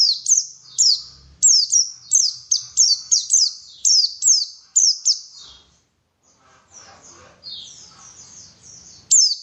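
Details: {'caption': 'A white-eye sings a fast run of sharp, high, down-slurred chirps for about six seconds. Fainter, softer warbling follows, then one more bright note at the end.'}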